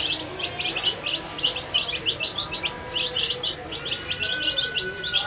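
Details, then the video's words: A brood of dyed baby chicks eating food, chirping in fast, high, sharp peeps that crowd together continuously, with a faint whistle-like tone late in the clip. "Funny Sound When Baby Chicks Eat Food"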